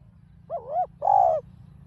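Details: Spotted dove in the mixed field voice, used to provoke a caged bird. A wavering low coo is followed by one long, slightly falling coo, all mellow and hollow over faint background hum.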